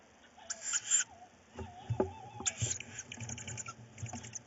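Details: Tawny owl chicks fighting over prey in their nest at night, 4 May 2018; a few rasping hissed screeches, one long and several short, broken by scuffling and knocking noises.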